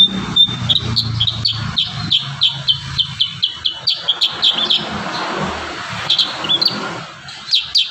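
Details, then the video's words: Kurincang singing energetically as training material for young birds: a rapid run of bright, high, clipped chirps, a pause, then more bursts, with low background rumble and faint voices. "Masteran terbaru burung kurincang gacor isian"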